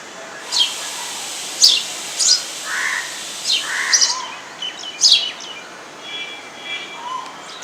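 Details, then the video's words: A sparrow chirping at a home: short, high, sharp notes given irregularly about once a second, with a few lower chattering notes and a steady hiss behind. "Beautiful Sparrow chirping at my home"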